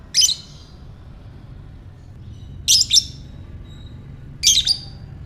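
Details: Lovebird calling as a prompt for ngekek chattering: three harsh, high, grating squawks about two seconds apart, the later two broken into double bursts, faint low hum behind.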